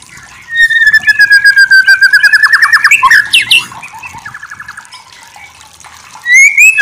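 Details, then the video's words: White-rumped shama masteran (training) song: a long, slowly falling clear whistle, then fast ringing trills and buzzy note strings, a quieter run of rapid clicks, and loud rising whistles at the end. "Masteran murai batu terbaik"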